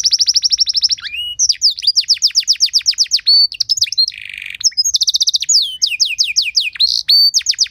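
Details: Canary singing a richly varied training song intended to make other canaries sing: fast rolling trills, sweeping whistles, a harsh buzzy section midway, and renewed rapid trills at a high pitch.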